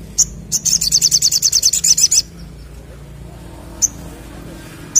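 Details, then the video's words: Crimson Sunbird singing actively in the 'ngleper ngalas' style: a few sharp, very high chips, then a rapid, even trill of about fifteen thin notes lasting under two seconds, followed by two isolated chips over faint background hiss. "Sogok Ontong Gacor Ngleper Ngalas"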